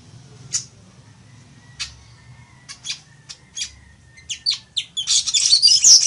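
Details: Weaver song, used for teaching birds to sing: spaced sharp high ticks and chips that quicken, then break into a dense buzzy sizzling chatter at the end.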